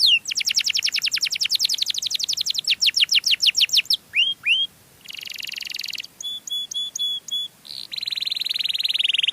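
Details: Canary singing a melodious lure song: a fast trill, two swept whistles, buzzy rolling tours and choppy repeated notes.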